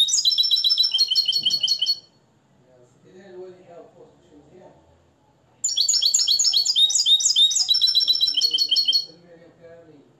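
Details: Nest-raised, caged European goldfinch from Morocco, tutored in the limpio song style, singing two bursts of rapid, high, tinkling twittered phrases separated by a quiet gap with faint low background murmur.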